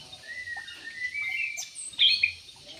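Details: Yellow-vented bulbul in an aviary gives a drawn, gently wavering whistle, then a sharp bright chirping burst near the end. Faint twitters are heard around it.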